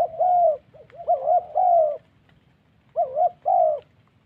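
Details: Spotted dove in the wild Central Highlands forest of Vietnam, used in decoy trapping, giving a "thổ" style coo: short mellow hooting notes in paired bursts, a pause, then two more phrases.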